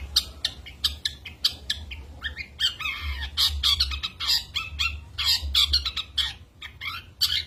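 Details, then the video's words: Energetic cendet, the long-tailed shrike, delivering a mimicry-rich isian medley for training contest birds. Harsh, scratchy squawks alternate with quick chattering notes and a few downward-slurred phrases. "cendet gacor full tembakan 🔥 isian"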